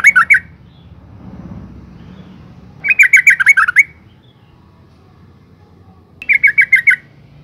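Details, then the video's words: Female yellow-vented bulbul lure call for males: three bursts of quick, slightly descending chattering notes, the middle run longest at about eight notes, with quiet murmur in the gaps. "suara panggilan burung trucuk betina gacor NGALAS pancingan TOP trucukan jantan stres"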